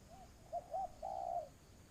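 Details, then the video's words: Spotted dove in Vietnam, used as a decoy for trapping, giving a cooing phrase: two short soft notes, then a longer drawn-out hoarse coo that fades, with steady faint high hiss behind. "tiếng chim cu gáy"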